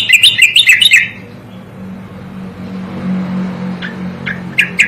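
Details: Song of a striated grassbird, meant for tutoring songbirds: a fast burst of bright, tumbling warbled notes, then near-silence with low rumble, ending with a few isolated sharp chips.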